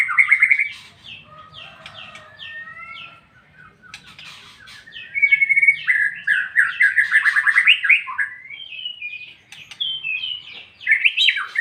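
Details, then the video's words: White-rumped shama delivering a long ngeplong song. Loud whistles at the start give way to quieter, intricate warbled phrases, then a bright, rapid burst of rolling notes and sharp slurred whistles near the end. "MURAI BATU NGEPLONG-NGEPLONG"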